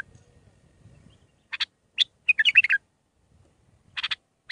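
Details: Bulbul singing the Mandalawi song style, six phrases, played for training young birds: brief burst of chirpy notes, then a quick run of warbled, slurred notes, another short burst near the end, quiet low rumble at the start.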